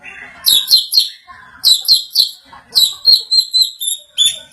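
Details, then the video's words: White-rumped shama reacting to a played sound with bursts of high, sharp ringing notes in groups of three or four, separated by short pauses, with faint lower chatter between. "MURAI BATU MAKIN EMOSI SETELAH MENDENGAR SUARA INI"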